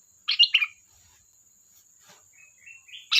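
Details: Sooty-headed bulbul delivering a quick bubbly phrase, a pause, then rising soft whistles leading into another loud burst at the end, with a thin constant high whine.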